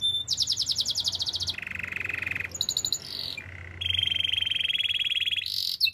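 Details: Canary singing for training, alternating fast high buzzy trills with lower steady rolling trills and a sliding whistled phrase, each section lasting about a second, against a faint hum.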